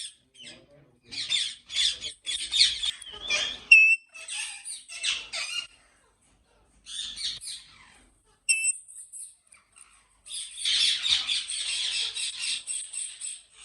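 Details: On a large breeding farm in Pakistan, ringneck parrots burst into clusters of harsh, chattering squawks separated by brief quiet gaps, with a thin high squeal partway through.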